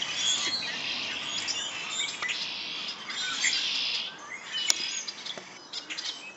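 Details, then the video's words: Wild birds chirping outdoors: dense overlapping high tweets and short trills from several birds, with a few sharp clicks and a steady hiss in the background. "birds chirping"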